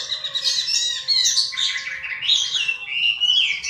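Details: Chinese hwamei singing a continuous stream of varied high warbles and slurred whistles, over a steady low tonal hum and faint background noise.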